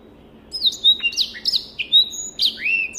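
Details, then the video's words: Song of a Black-throated canary, used as tutor material: after a short quiet start, a quick string of bright whistles and downward slurs, ending on a long rising, then falling whistle. "SOUND of BIRD BLACKTHROAT || FINCH SINGING || MASTERAN BLACKTHROAT"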